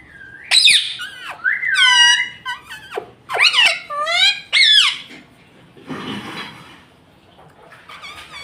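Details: Talking pet rose-ringed parakeet mimicking words like "Mummy Papa": a rapid series of loud, raspy, speech-like syllables with sweeping pitch, some short and clipped, others drawn out, followed by fainter chatter and a brief noisy hiss.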